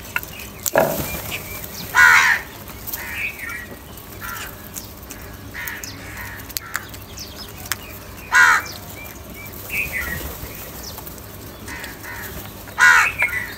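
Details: Crows squabbling over food: several harsh, rasping caws spaced a few seconds apart, some fainter calls between them, with wing flaps, clicks and light outdoor background.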